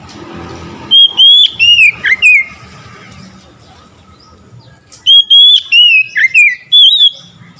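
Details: Oriental magpie-robin bursting into song in response to another of its kind: two bouts of strong whistled notes, some rising, some dropping sharply, separated by a quiet gap of about two and a half seconds.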